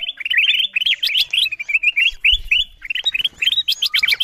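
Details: Lure call of the kutilang emas bulbul to attract wild birds: dense, quickly repeated bubbling whistles, roughly four a second, ending in higher, sharper chirps.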